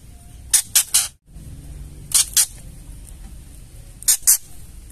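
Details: Repeated ketrekan of a female white-rumped shama, meant to provoke males into song: a rasping triplet, then two pairs of dry, hissing notes about a second apart, against a low steady hum.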